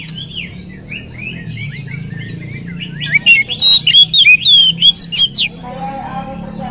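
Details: Oriental magpie-robin lure song meant to prompt other magpie-robins to sing; softer warbled notes build into a loud burst of sharp whistles and chips, then quieter lower twittering.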